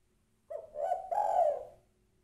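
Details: Female spotted dove giving her call to a male. A low, gentle coo leads into a sustained, slightly wavering second coo that dies away gradually. The background is quiet.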